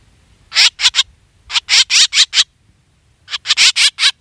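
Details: Black drongo call used as a lure for hunting: loud, harsh, buzzy chattering notes in three bursts of four or five rapid rasps each, separated by short silences.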